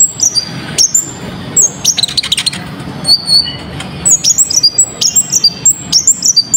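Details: Sunbird singing energetically as a lure to set other birds singing, sharp and clear in tone: clusters of very high, piercing whistled slurs and quick chips, with a brief rapid trill midway and a soft low hum underneath.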